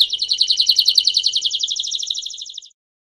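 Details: Canary in a campainha-style training song for young birds: one fast pulsed trill of many crisp, evenly spaced notes that gradually weakens and stops after nearly three seconds.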